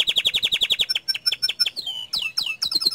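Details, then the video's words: Bottle-green canary singing a 'tembakan' (rapid-fire) song, used as a master song that agitates other canaries: a fast train of about a dozen repeated sharp chips, then high whistles, a sliding note and bursts of buzzy rising trills. "Masteran Kicau Kenari Warna Hijau Botol Suara Tembakan nya Bikin Emosi Kenari Lain"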